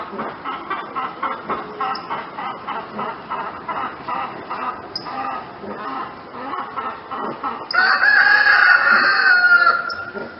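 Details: Rooster crow of about two seconds, loud and harmonic, rising out of a busy background of rapid, repeated pulsing fowl calls that fill the first seven seconds.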